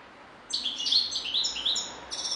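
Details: European goldfinch singing: after half a second of quiet, a rapid run of bright twittering notes with thin, high buzzy overtones rises and falls without a break until the end.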